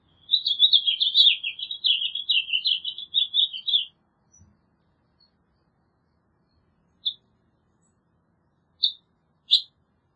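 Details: House Finch delivering an energetic jumbled warble of rapid chirps for nearly four seconds, followed by quiet, then three short isolated call notes spaced a couple of seconds apart.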